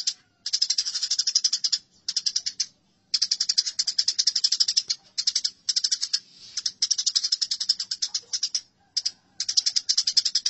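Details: Fighting house sparrows chatter almost nonstop. Strings of harsh, rapidly repeated chirps are broken only by brief pauses over ten seconds. Recorded as a tutor track for training birds.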